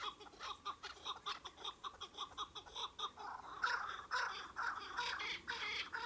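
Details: Chukar partridges giving a fast series of short, harsh, clucking notes, about two per second, some swelling louder toward the end, with a slightly overlapping second voice.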